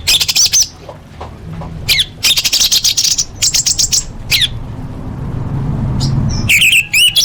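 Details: Orange-headed thrush singing, used as a lure for caged birds: loud runs of high, rapid chattering and whistled notes in several bursts, a quieter gap in the middle, then sharp slurred whistles, over low hum.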